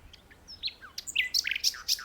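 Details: Common nightingale singing in a tree: scattered high chips and slurred whistles building into a lively jumble of sharp notes.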